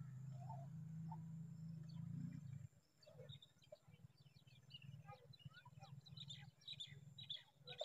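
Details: Common tailorbird (Orthotomus sutorius) baby with a worm stuck in its mouth, begging: thin, high chips in quick, uneven bursts, several a second, after a loud low hum dies away.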